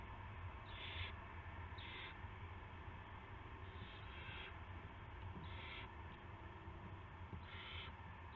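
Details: Owl at the nest before dawn on March 9, 2016, with a rat delivered: five or six brief harsh hissing bursts spaced irregularly, low hum in the background.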